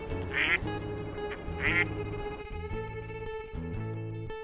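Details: Mother duck on a seashore harbour inlet sounding an alarm as a gull threatens her five ducklings, calling them back to her: two short, harsh nasal quacks about a second apart near the start, under steady background music.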